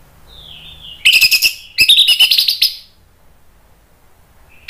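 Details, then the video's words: Orange-headed thrush, a cage bird from Indonesia, singing: a soft wavering whistle, then two dense rapid bursts of stuttering, buzzy, high chirps, then near quiet. "ANIS MERAH NGEPLONG GACOR bikin EMOSI jadi NYAUT ikut BUNYI"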